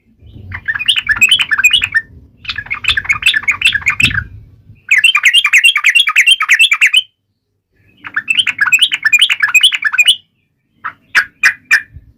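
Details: Yellow-vented bulbul sings to taunt its rivals, giving four bursts of fast bubbly chatter over a low background hum, then finishing with a few sharp separate clicks.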